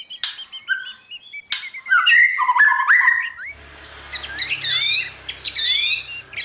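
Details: White-rumped shama morning song used to train a young bird for competition singing: scattered clear whistles and sliding notes, then a faster run of high twittering phrases over a low background hum.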